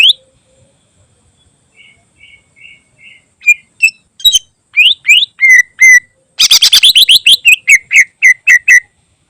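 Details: Greater green leafbird song with special fill, used to tutor other birds: opens with faint soft twittering notes, builds into loud ringing whistled notes, then a fast rattling burst of sharp chips and a run of clear repeated whistles.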